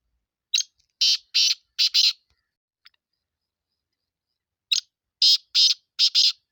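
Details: Black francolin calling, a Sindh bird: two series of rasping, grating notes, each of four to five bursts, the final pair close together, separated by about two and a half seconds of silence.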